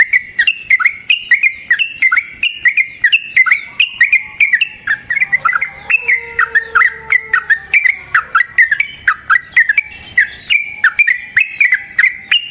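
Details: Yellow-vented bulbul, long fighting song for luring other bulbuls and for training: a sustained chatter of rapid, bubbly rising and falling notes, dense and unbroken.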